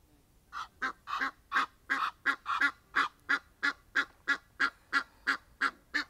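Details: Egyptian geese honking outdoors, a rasping series of about sixteen calls that begins softly and quickly grows loud and regular at near three per second.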